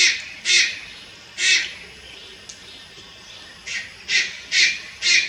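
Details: Young Malayan night heron recorded in Lugu, Taiwan, on 30 July 2022, giving loud coarse squawks at uneven intervals, three spaced bursts then four in faster sequence.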